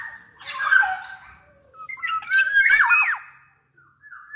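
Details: Kepodang emas, black-naped oriole, singing rapid harsh squawks with wavering whistled slurs in quick bursts; a recording used to stimulate other orioles to sing.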